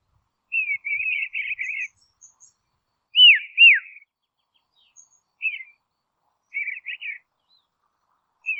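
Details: Dusky robin from Tasmania, Australia, alternating buzzy chattering trills with pairs of loud downward-curving whistles, phrases separated by short silences over several seconds.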